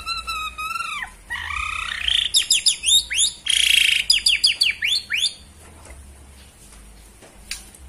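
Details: White-rumped shama of the Borneo type, in a bowing display: opening clear whistled notes, then a fast burst of sweeping, slurred high whistles and chattering notes lasting about three seconds, fading to quiet with faint hum.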